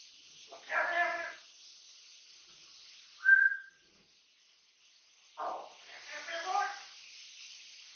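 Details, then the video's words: Three-year-old pet Amazon parrot, bred in captivity, free to fly around the house, chattering nonstop: two bursts of harmonic, speech-like gabbling around one and five seconds, with a short whistled note between them. "my chatter box OZY"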